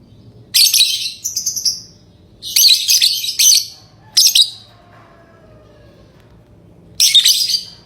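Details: Lovebird chirping: raspy, high chirps in clustered bursts, a soft falling tone in a pause, then one final burst.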